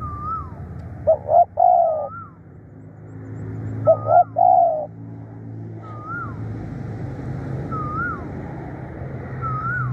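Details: Decoy spotted dove, described as fierce and a tireless caller, delivers two low coo phrases, each a clipped double note followed by a drawn-out coo. Another bird's sharp slurred whistles recur throughout over a growing rumble.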